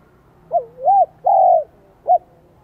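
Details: High-voiced 'son' spotted dove in Vietnam, just starting to sing: a soft rising-falling coo, a long level hoot and a short closing note, with a faint low hum behind.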